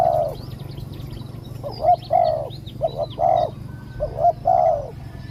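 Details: Decoy spotted dove calling to draw down a wild bird with a small voice that was slow to come. Rounded coos sound in pairs with short gaps, and faint high chirps from other birds are behind them.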